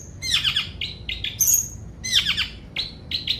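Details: Long-tailed shrike song of varied phrases: a scratchy descending warble, several short buzzy notes, a sharp high whistle, then the warble and buzzy notes repeated, closing with clipped chirps.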